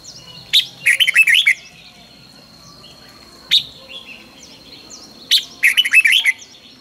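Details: Red-whiskered bulbul in a morning singing session: a sharp note leads into a rapid, tumbling phrase of bright whistled notes, repeated twice with a single note between, over faint chirping of other birds.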